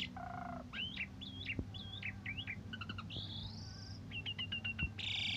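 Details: Asian pied starling song used as a training model for other songbirds, recorded in morning and evening condition: a varied run of nasal harmonic notes, wavering whistles, a long rising buzz and quick clicked notes, with a low hum behind.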